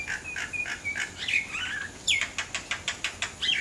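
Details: Common myna in non-stop song, mixing clear whistled notes and gurgling slurs, then a fast series of sharp clicking chirps about six per second, ending in a rising whistle.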